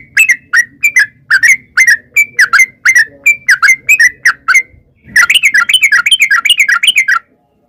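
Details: Yellow-vented bulbul singing in long 'ropel' style to draw answers from wild birds: evenly spaced slurred whistles for five seconds, then a faster, denser chattering run of bright notes.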